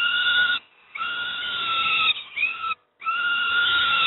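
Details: At Moszna, Pruszków, Poland, young peregrine falcons getting breakfast give loud, rasping wails interrupted by two brief pauses, each cry long and strained.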